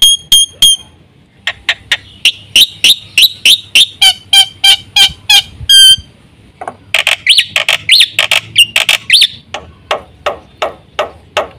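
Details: Energetic black-winged myna song packed with varied fill-in phrases. Ringing metallic notes give way to fast rows of harsh, buzzy chips. A brief piercing whistle follows, then more scratchy repeated notes, delivered several per second.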